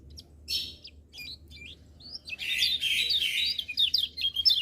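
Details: Lemon-bellied white-eye song with other birds joining in: scattered short high chirps at first, then from about two seconds a dense, fast stream of sweet twittering and slurred whistles.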